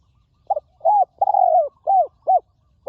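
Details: A wild spotted dove answers at a ground decoy spot. Praised as a forest bird with a good, ringing voice, it gives a series of mellow arched coos with one long sustained note in the middle, clear against quiet surroundings.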